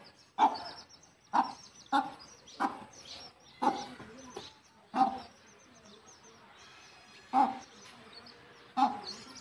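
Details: A hen guides her chicks back to the nest for roosting, giving spaced, abrupt low clucks, eight over nine seconds, with quiet gaps and soft high chick peeps between.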